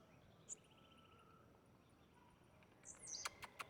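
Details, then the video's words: Blue-black grassquit singing in the wild: two short, high, buzzy notes about two and a half seconds apart, then a quick series of sharp clicking taps at the end, over faint background hiss. "Tiziu cantando na natureza"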